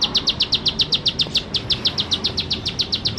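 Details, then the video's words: Bar-winged prinia in energetic song, pouring out rapid, evenly spaced high chips, roughly six each second, bright and clipped, with one short stumble partway through over a low hissing background. "Ciblek Sawah Gacor Nembak Nembak"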